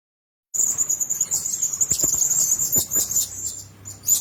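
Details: Blue-crowned hanging parrots kept together in one cage: thin, very high squeaky whistles held in a near-steady line, broken by sharp ticks and clicks, with a few louder chirps near the end.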